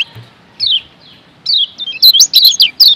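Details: Lombok yellow white-eye (kecial kuning) tutor song used to stir sluggish birds into singing: a quiet start, then a lively run of high, quick, slurred chirps and twitters near the end.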